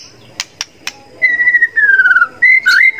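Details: Training song of a white-rumped shama with contest fill-in mimicry: a few sharp clicks, then long clear whistled notes, one slowly sliding downward, ending in a higher whistle with a quick twist.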